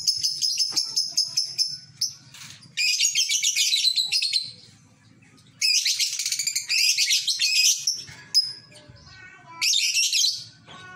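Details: Lovebird in a home village, singing in the ngekek style: long bursts of dense, high, scratchy chatter broken by short pauses, with faint low murmuring sounds beneath.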